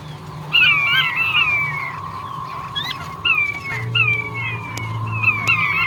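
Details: Male king quail calling with sharp whistles that drop in pitch, in a few clusters separated by short pauses, with a continuous hum and low rumbling noise beneath.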